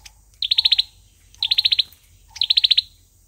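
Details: Olive-backed sunbird singing its fighting song as a lure bird for trapping: three quick bursts of about seven sharp, high, ticking notes, roughly one burst per second, with faint soft lower notes between.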